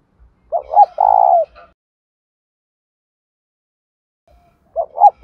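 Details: A decoy spotted dove, one of a male and female pair calling to prompt newly caught doves to coo, gives a full phrase of two short notes and a long purring coo. After a pause, the next phrase begins.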